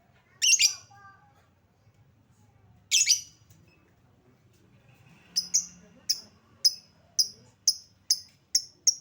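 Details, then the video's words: Lovebird lure call meant to prompt quick response: two loud harsh chirps a few seconds apart, then a rapid run of about eight shorter, clipped tweets at an even pace. "Suara pancingan Lovebird"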